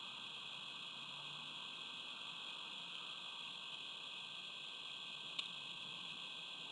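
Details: Steady electronic hiss and hum continue throughout, broken only by a single sharp click near the end, with no animal calls.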